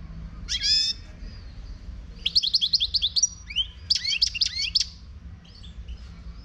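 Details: From Morocco, a wild European goldfinch delivers a buzzy descending-and-rising note, then rhythmic series of sharp tinkling chips and slurred whistles in two lively phrases, with soft background hum.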